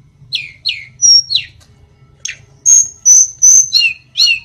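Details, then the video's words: Sunda robin (mountain tledekan), used to help birds start singing: a quick string of thin, high notes, downward-sliding squeaks mixed with level piercing whistles, over a faint low hum. "tledekan gunung biar cepat gacor"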